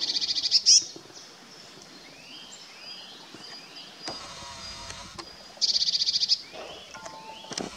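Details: Eurasian blue tit courting in forest at Kotthauesn, Wuppertal Beyenburg, NRW, on 12 May 2021: a high, bright, rapid trill opens, a sharp note follows, and a second fast buzzy trill of about ten notes comes later, with faint twitters in between.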